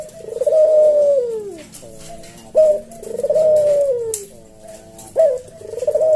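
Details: Slow senggang coo of a captive puter jawa, or collared dove, used to train and stir up cage birds: long smooth downward-sliding coos alternating with grainy lower notes, a crisp short note starting each repeat, about two and a half seconds apart.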